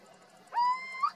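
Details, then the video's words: Little owl (Athene noctua) in Zafra, Badajoz, Spain, gives a single drawn-out, mellow hoot rising in pitch at the end, over quiet background with faint low hum. "Canto o reclamo del mochuelo europeo o común (Athene noctua)"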